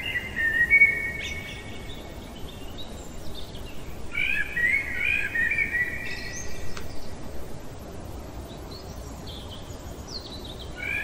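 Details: In the middle of the night a blackbird pours out flowing whistled phrases: a short clear opening, a longer warbling passage with sharp high twitters, then quieter trailing notes against low ambient noise.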